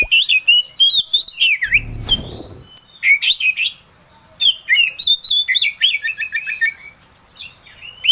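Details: Oriental magpie-robin song played to provoke another bird into singing: varied, rich whistled phrases with swooping slurs and rapid chirps, a brief rustle early on, delivered in lively repeated bursts.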